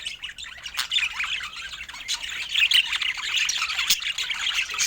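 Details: Feeding budgerigars make softer, patchy high chirping and squawky warbles that build louder in the second half, with occasional clicks.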